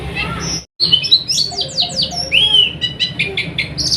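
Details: Oriental white-eye song meant to coax birds into opening their beaks and singing: a brief break, then bright descending chirps, a clear rising-falling whistle and scattered high twitters, low hum underneath.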